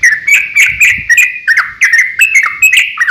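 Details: Sooty-headed bulbul fighting song, a lure to provoke other bulbuls into singing: rapid chattering run of bright, slurred notes, each with a sharp onset, tumbling quickly with hardly a break.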